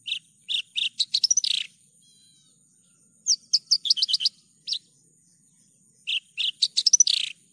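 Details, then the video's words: Javan bush lark giving three bursts of song, each of sharp spaced chirps speeding into a dense trill, with a steady high electronic whine throughout. "PANCINGAN/MASTERAN JERNIH BRANJANGAN GACOR...."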